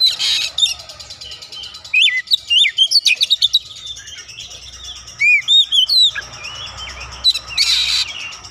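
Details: Oriental magpie-robin, an untrained bird that readily joins in with full, lively singing: sweet looping whistles and quick chirped phrases over constant background hiss, with two short noisy bursts near the start and end.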